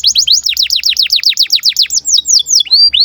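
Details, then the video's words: Singing canary in breeding condition, used as a tutor for young birds: a quick run of repeated falling whistled notes about six per second, slowing into a few longer looping rising-falling whistles. "KENARI GACOR DURASI PANJANG Cuit CUIT BIRAHI UNTUK PANCINGAN & MASTERAN Kenari PAUD AGAR BUNYI"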